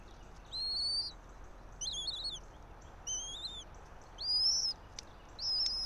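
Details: From a nest camera on a bald eagle pair's pine-top nest in Johnson City, Tennessee, 06:28 on 3 April 2024: five separate high piping whistles, some rising, some jagged, about one per second, on a quiet background.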